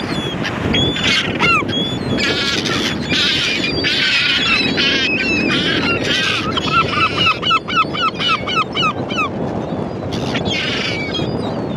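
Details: Gulls calling in a busy flock over steady low rumbling noise, many overlapping harsh cries, then a fast run of arched, nasal, harmonic-rich notes repeated about four per second near the middle.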